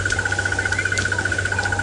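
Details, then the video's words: Crested barbet hidden among branches of a tree next to a safari vehicle at sunrise in Sabi Sand, South Africa, December 2017; a steady, rapid mechanical trill of evenly spaced notes, with low engine hum and faint other birds. "It's not a very big bird, it's making a big noise, but it's not a big bird itself."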